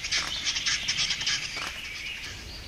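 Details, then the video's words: Lekking western capercaillie singing at dawn in a Russian forest in 2013, close to a tent camp where the birds roosted overnight; a rapid run of harsh, hissing, scraping pulses at a steady tempo lasts nearly the whole stretch. "Lekking capercaillie in Russia"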